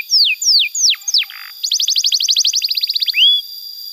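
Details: Canary tutor song for young birds: four loud falling whistles and a low buzzy note, then a fast repeated rattling trill of about twenty notes, ending on a rising whistle.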